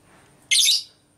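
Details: Female lovebird ngekek, used to provoke other lovebirds. One sharp, shrill, rasping screech of about a quarter second rises out of near silence.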